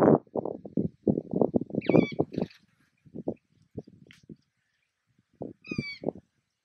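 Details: Juvenile Mulga Parrots (Psephotus varius) being fed at Patchewollock Conservation Reserve, Victoria: a run of low, harsh pulsed begging sounds, broken by two clear, high, harmonic squeaky calls, with quieter gaps between bursts.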